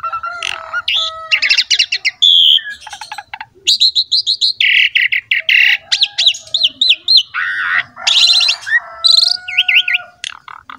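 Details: Asian pied starling in full, lively song used to prompt young starlings to sing, a rich varied medley of whistles, harsh rasping notes, wavering trills and clicks in quick succession.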